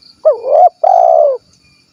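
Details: Single cooing phrase of a 'kuk 1' spotted dove recorded in Cilacap, Central Java: a hooked, rising-then-falling note swelling into a held coo, a brief pause, then a long steady coo that slides down at the end.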